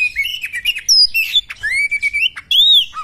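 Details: Fighting female Oriental magpie-robin pours out a fast mix of high sharp chirps, rising and falling whistles and one long level whistled note, loud and close, with short gaps between phrases.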